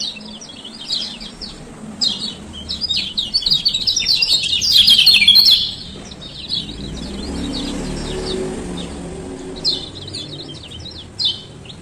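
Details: Male lemon-bellied white-eye from Lombok with bursts of high, scratchy twittering, a loud dense flurry around four to five seconds, then sparser chirps, with a low rumble in the background; a lure to restart silent birds.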